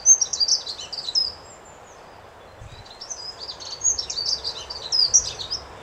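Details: Dunnock singing a soft, melodious song: two rapid bursts of high, tinkling warbled notes separated by a pause of over a second, against quiet background.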